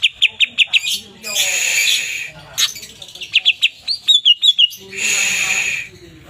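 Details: Greater green leafbird, among twelve chatty, freely singing kept cucak ijo: quick high chips, then long hissing harsh bursts alternating with a run of short slurred whistled notes.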